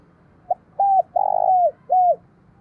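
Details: Spotted dove cooing in response to a decoy bird, thổ sấm voice style: a short soft note, a clear flat whistle, a long throbbing coo that slides down, then a closing arched note, low and mellow, in a quiet setting.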